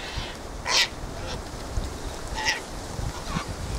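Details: Sulphur-crested cockatoos (Cacatua galerita) in a quarrelsome gathering: one strong rasping squawk near the start, another shorter harsh call midway, and fainter scattered calls in steady background noise.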